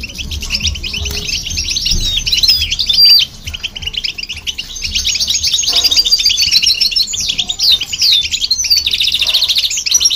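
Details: European goldfinch and hybrid song played to rouse other birds: busy, jangling high twitters and rattling trills with whistled upslurs, one short drop-off near three seconds, then fuller chatter again.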